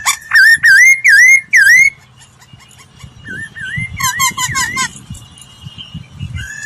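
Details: Laughingthrush training song opening with four loud, clear, bouncing whistled phrases, then softer wavy whistles and a quieter passage with low background noise.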